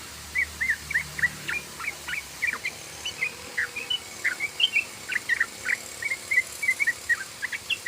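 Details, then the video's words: Yellow-vented bulbul ropel song for luring: a somewhat softer, even series of short chirped notes, some looped and slurred, roughly three to four a second, with a faint low hum and hiss. "TRUCUKAN ROPEL BOOOOOLOOOOO❗❗❗SUARA BURUNG TRUCUKAN BOOOLOOOO"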